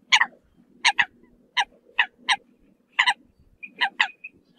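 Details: Eurasian coot calling the flock: short, loud, harmonic honking notes in pairs and singles, roughly every half second to second, over a low steady background hum.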